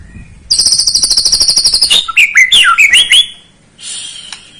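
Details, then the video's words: White-rumped shama singing to stir a young bird: a rapid, very high buzzing trill lasting about one and a half seconds breaks into tumbling fluty whistled notes, then a faint high hiss. "Pancingan Murai batu paud agar emosi"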